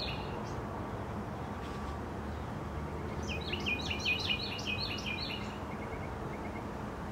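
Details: Birds chirping in the morning outdoors: steady background hiss, then a quick burst of high, clipped chirps repeated rapidly for about a second and a half, followed by a few faint scattered notes.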